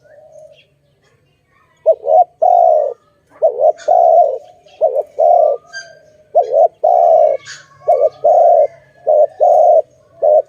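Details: Dove calls from a trapping scene: after a short quiet start, a run of paired coos begins, each a quick wavering note then a longer smooth one, repeated steadily.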